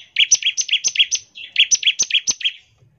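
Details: Bar-winged prinia delivering its ngebren song as a lure for prinias: two rapid runs of chattering notes that alternate between a higher and a lower pitch, with dry clicks behind them.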